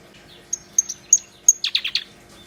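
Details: Black-browed reed warbler singing: a few thin, high whistled pips, then a quick burst of four harsh, buzzy chattering notes over a quiet background.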